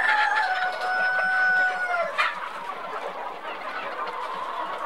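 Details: Silver Spangled Appenzeller Spitzhauben chicken, a pointed-hood breed from Switzerland: a steady, drawn-out crow holding one pitch for about two seconds, ending in a sudden break, then a flock clucking and muttering.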